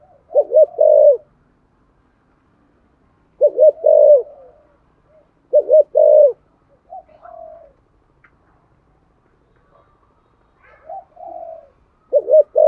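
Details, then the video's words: Spotted dove, a lure bird cooing to stimulate other doves, delivering loud, low, hooting coos in groups of three or four notes, phrases roughly every three seconds, with softer distant coos between. "cu gáy thúc gù giọng thổ hay và chuẩn nhất 2023/ tiếng chim cu gáy kích bổi"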